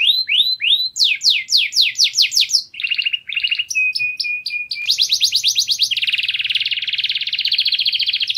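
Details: Canary in strong, loud song: fast rolling trills of repeated rising notes, a level ringing whistle, then dense buzzy high rolls that run on for several seconds.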